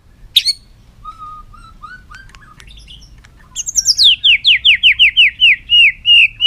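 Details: White-rumped shama song opening with a low steady whistle and soft varied notes, then bursting into a fast run of about twelve loud descending slurred notes repeated in quick succession.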